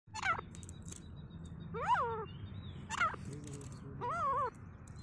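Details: Grey francolin (teetar) fighting in a forest, giving harsh, arching harmonic notes at irregular intervals, about four calls over five seconds, over a steady low rumble of background noise.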